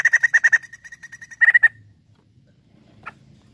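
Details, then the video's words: White-crested laughingthrush used as a lure recording: a burst of rapid, even chattering notes, a second short burst, then a faint single note and quiet background. "PANCINGAN POKSAY JAMBUL GACOR"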